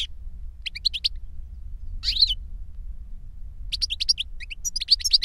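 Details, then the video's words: Goldfinch song from an older bird teaching a younger one: short clusters of sharp high chips with a pause, one rising buzzy note, then a lively twittering burst at the end; faint low hum underneath. "Older GOLDFINCH SINGING to Teach Younger Goldfinch"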